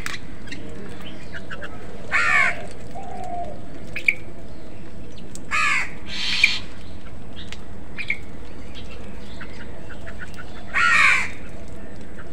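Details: Crows fighting other birds for food, giving three harsh, broadband caws spaced several seconds apart, with faint chirps from other birds and a steady low background hum between calls.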